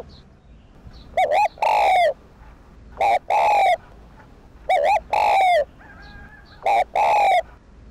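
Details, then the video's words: Spotted dove coo used to excite and train decoy doves: four phrases close together, each of two short hooked notes and a long loud falling coo. A faint steady tone sounds near the end. "Cu gáy kích bổi / chim cu gáy kích bổi gáy cả ngày/tiếng chim cu đất gáy kích bổi tập mồi hiệu quả"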